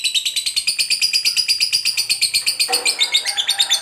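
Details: Fighter lovebird ngekek, a long trilling song used to set off other lovebirds: dense, buzzy, high chattering notes repeated quickly and evenly, with a brief lower rough note entering near the end.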